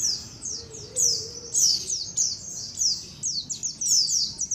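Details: White-eye colony sound for luring birds: rapid, shrill downward-slurred chirps, about 100 notes a minute, several callers overlapping; a faint low tone early on.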